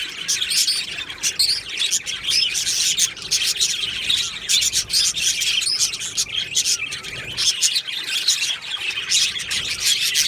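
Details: Many budgerigars chattering together in an aviary colony on 22 June 2025, a steady wall of high chirps, trills and warbles running through the whole stretch with brief louder bursts.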